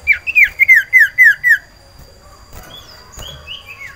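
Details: Breeding-condition caged cipoh sirtu iora seeking a mate: a rapid run of about eight loud downslurred whistles in under two seconds, followed by quieter distant whistled notes.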